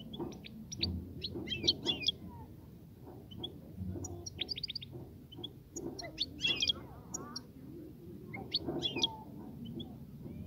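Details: European goldfinch song meant to prompt a female to mate and nest: rapid clusters of high tinkling, twittering notes in repeated bursts, with a steady low murmur beneath.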